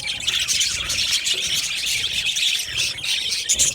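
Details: Budgies in an aviary colony, a steady wall of chirps, squeaks and soft warbles from numerous birds, evenly loud throughout with occasional sharper squeals rising above.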